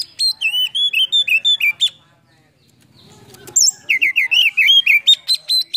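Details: Oriental magpie-robin singing a lure song full of fill-in phrases while spreading its tail, played to rouse silent or lazy birds into singing: rapid runs of loud whistled, wavering notes, a quiet pause in the middle, then a fast burst of repeated notes.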